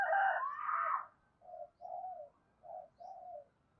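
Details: Spotted dove cooing, used as a lure for trapping, heard softly after a loud, broad burst of noise: four short, mellow coos in two pairs over low background hiss.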